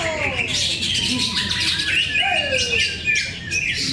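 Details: Greater green leafbirds competing in a bird singing contest at Cikeas, Indonesia, on Monday 21 October 2024. Busy overlapping whistled phrases, rapid chirps and long downward-sliding slurs, with several caged birds singing at once over a low background hum.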